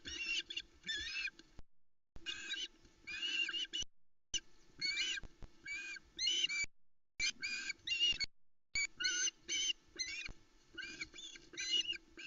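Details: Osprey chicks alone on the Loch Arkaig nest at dawn, 16 July 2020, beg in excited bursts of high whistled chirps in second-long runs over a faint hum as the male arrives with a large trout at 05:42.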